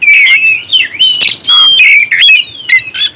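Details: Oriental magpie-robin song used to stir up other birds: long pure whistles gliding downward, then clipped chirps and a low harsh note, in loud phrases with short gaps.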